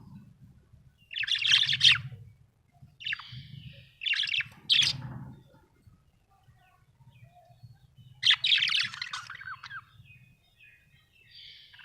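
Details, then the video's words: Happy budgerigar chattering in scratchy, high warbled bursts, four or five phrases over twelve seconds, with a steady low rumble underneath. "Happy budgie chirping sound"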